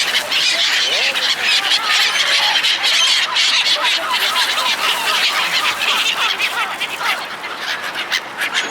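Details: A flock of seagulls being fed by people calls over and over in short, harsh, slurred notes that come irregularly and overlap, over a constant loud hiss.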